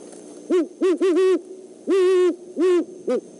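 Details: Great horned owl pair, male and female, on an overnight visit to the Decorah eagle nest on 17 December 2014, checking it out; loud, harmonic-rich hoots in a stuttering run of short notes, then a long hoot and two shorter ones.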